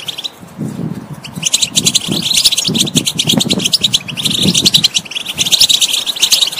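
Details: European goldfinch song played to encourage a silent bird to sing: fast liquid twitters and trills run on, pausing briefly at the start, with low murmuring underneath.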